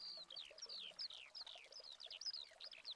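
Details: A Eurasian skylark in Spain in August 2020 pours out an unbroken, rapid stream of high chirrups, slurred whistles and quick trills, the notes tumbling over one another without pause.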